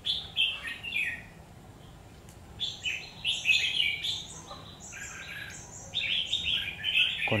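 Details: Red-whiskered bulbul singing in a fight, a trapped bird, sings choppy bursts of bright warbled and whistled notes, a pause midway, then louder dense phrases climbing higher near the end.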